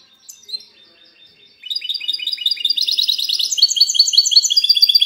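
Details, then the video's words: Goldfinch hybrid (mixto de jilguero) in 'cante limpio' clean-song style, recorded 19 March 2020: after a few faint high notes, a dense run of rapid, high, twittering trills begins and builds steadily louder to the end. "mixto de jilguero cante limpio"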